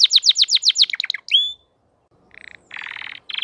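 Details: Crested canary song opens with a rapid run of bright descending notes and a clear whistle, followed after a short pause by buzzy rolling trills.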